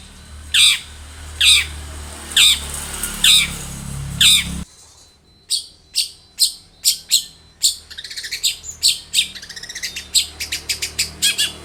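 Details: Long-tailed shrike lure song: five loud harsh squawking notes spaced about a second apart, then a sudden switch to quick sharp clicking and chattering notes speeding into a rapid run.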